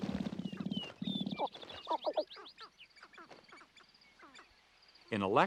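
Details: Sharp-tailed Grouse cocks dancing at a lek at dawn in spring to dazzle hens give a quick run of sharp, swooping clucks and cackling notes, with a man's narration at the start and end.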